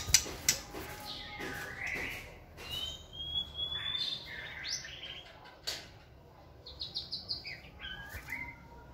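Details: Caged white-rumped shama singing energetically while building stamina in a flight cage: rich, varied whistled phrases, some rising and sliding, mixed with sharp clicks and short buzzy notes, changing quickly over nine seconds.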